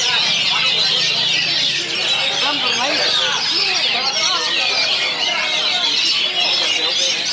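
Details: Several Oriental magpie-robins sing at once at a bird-club meet-up (kopdar), a dense, unbroken tangle of high whistles, trills and chattering phrases, with voices talking underneath.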